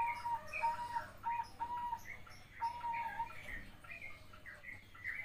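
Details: A young zebra dove gives soft, melodious cooing notes in quick, uneven bursts, some drawn out and slightly rising, over a faint low hum.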